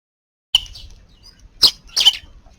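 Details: Sparrows visiting a garden under the eaves around midday on New Year's Eve, 31 December, giving a few sharp high chirps in two or three short bursts after a moment of silence.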